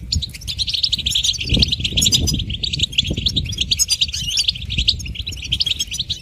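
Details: A goldfinch sings busy, sweet, high-pitched twittering in quick bursts of chirps and trills, nearly continuous. Low bumping noises are also heard.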